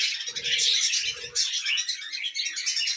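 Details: Tame pet budgies eating millet indoors: a dense, continuous stream of high twittering and warbling chatter from several birds, with two brief low humming sounds early on.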